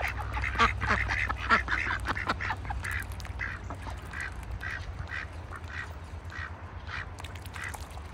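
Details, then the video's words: Wintertime farm ducks in a bucket calling in quick, rather irregular runs of short nasal quacks, about one to two per second, over a steady low-pitched hum. "farm sounds. ducks in a bucket - wintertime."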